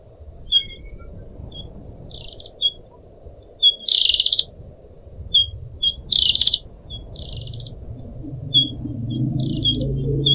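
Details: Caged pied triller singing for a training recording, with short clear high chirps and several buzzy, rattling bursts over a steady trickle of running water that swells toward the end.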